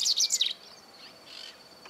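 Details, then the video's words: Double-collared seedeater (Sporophila caerulescens) song recorded in 2018: a quick half-second burst of high, bright twittering notes, fading under a thin steady insect-like whine; double-collared seedeater. "Cantos Corbatita común Sporophila caerulescens"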